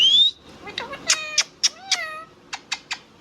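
An Indian ringneck parrot gives a sharp rising whistle, then a quick run of nasal, speech-like syllables and three clipped high notes, all within three seconds.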